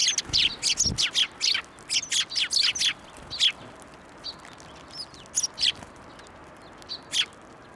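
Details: Sparrows coming onto a hand for food at a Tenmangu shrine on 11 March 2024; rapid series of sharp chirps in the first half, then spaced single chirps.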